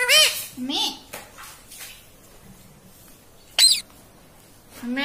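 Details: Pet talking parrot, a tota trained to say words such as mitthu, papa and mummy, voicing high, nasal, squeaky speech-like syllables and one sharp squawk, separated by quiet pauses.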